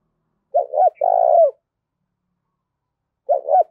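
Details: Spotted dove decoy calling to stir rivals to fight. One full low cooing phrase, two short notes and a held note, then a pause before the next phrase begins. The recording is clear and quiet otherwise.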